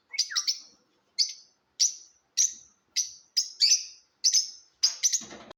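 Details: Lovebird chirping in a competition: sharp, high, clipped chirps, some doubled or tripled, repeated about every half second against a silent background.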